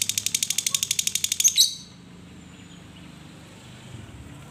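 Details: Lovebird, kept caged, singing in the Indonesian 'ngekek' style used to prompt other lovebirds to sing: a rapid, buzzy, high chattering trill of evenly spaced notes lasting nearly two seconds, then quiet hum.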